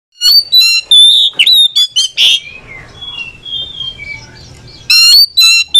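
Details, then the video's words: Oriental magpie-robin singing back and forth, used to prompt a sluggish or reluctant bird to sing: loud high whistled notes and buzzy, rattling bursts in quick clusters, a pause with soft faint notes, then another burst of sharp whistles. "SEKALI DENGAR LANGSUNG IKUT SAUT SAUTAN KACER LELET BUNYI ATAU MALES BUNYI"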